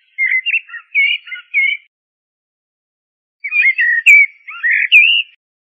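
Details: Common blackbird (Turdus merula) delivering two melodious phrases of quick, wavering whistles, the second longer and ending on a higher squeaky flourish, with a clear silence between them.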